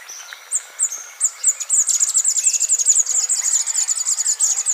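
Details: Scrub tanager (Stilpnia vitriolina) singing: a few spaced, very high sharp notes that speed up into a rapid, even, twittering series of thin chips lasting several seconds.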